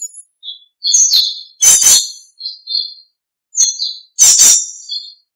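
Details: Birds singing in the morning after rain: loud high twittering phrases of chirps and thin whistles, broken by two harsh buzzy bursts, repeated in two groups a few seconds apart against near silence.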